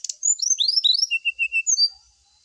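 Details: Brown-chested jungle flycatcher song as a lure for dew-exposed birds: a fast cascade of sliding high whistles, then five evenly spaced, clear mid-pitched notes and a final bright whistle.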